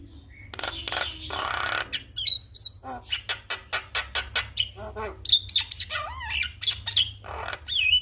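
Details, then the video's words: Javan myna responding to a lure recording of a singing Javan myna: a harsh rasping burst, then rapid dry clicking notes and chatter, mixed with short slurred whistles near the end. "Burung Jalak Malas Bunyi Langsung Respon Dengan pancingan jalak Kebo GAcor"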